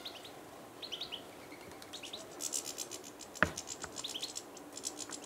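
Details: Eurasian siskin in a garden by the water, 6 March 2020, probably resting before migrating to northern Europe: thin, high twittering chirps in short bursts, a busier chattering patch midway and one sharp click or knock.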